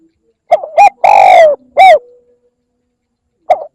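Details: Spotted dove calling to lure birds: a close phrase of two short coos, a long mellow coo falling in pitch, a short rounded note, then after a pause the first coo of another phrase.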